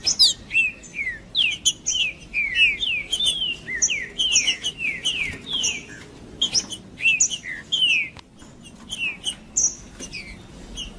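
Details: Green-winged saltator in full male song, sung to warm up other males: a busy run of slurred whistles that fall in pitch, mixed with sharp high clicks and short bright notes, in quick repeated bursts with brief pauses.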